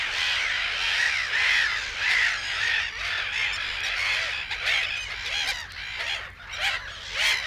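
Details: Black-headed gulls in the reed beds of Matsalu, Estonia (1979 field recording), give harsh, grating calls, several birds overlapping in a steady chorus with new calls breaking in about every half second.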